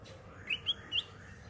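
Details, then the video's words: Three soft, clear whistled notes from a black-crested bulbul lure recording, evenly spaced over about half a second against steady low background noise. "KUTILANG EMAS GACOR suara Kristal Jernih, Pancingan Kutilang Emas"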